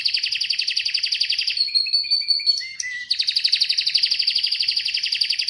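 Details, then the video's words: Atlantic canary singing: fast rolling trills around mid-high pitch, broken by a stretch of level whistled notes and a short downslurred note, then another long rapid trill. "Atlantic Canary sings in an amazing voice"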